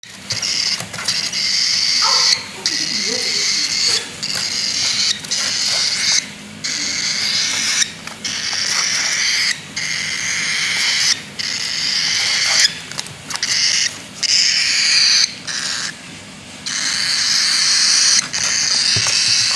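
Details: A baby cockatiel (chick) gives a harsh, raspy hissing call, repeated in long bursts with brief pauses.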